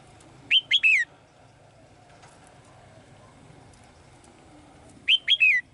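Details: Female bird in a cage calling to the male with lively song: a fast three-note phrase of high, downward-sliding chirps, a long pause, then the same three-note phrase again. Quiet room background.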